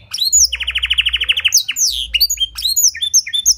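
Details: Canary with blackthroat-style fill-in singing: a steady, even, buzzy trill of about a dozen quick pulses, followed by high sliding whistles and sharp chirps.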